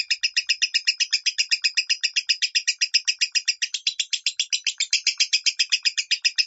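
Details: Lovebird in the minor singing style, meant to teach pet lovebirds: a long, very regular stream of sharp, buzzy chirps, about four every second, sustained for more than six seconds.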